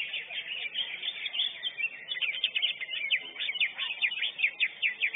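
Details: First-prize lesser green leafbird at a songbird contest delivers fast, bright, slurred notes and sharp chips in tight succession, with overlapping twittering from other competing birds.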